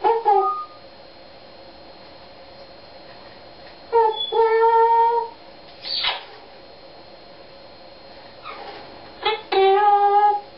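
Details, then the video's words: Pet Eclectus parrot improvising its own made-up song in short bursts: nasal, harmonic, meow-like drawn notes and wavering phrases, separated by several seconds of quiet. "singing eclectus"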